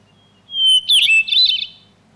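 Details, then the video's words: North American hermit thrush singing one song phrase: a clear, steady whistled opening note, then a higher, ethereal, fluty flourish of quick tumbling notes, all within two seconds. "Here is the song of one of my favorite North American birds, the hermit thrush, which uses patterns on many levels."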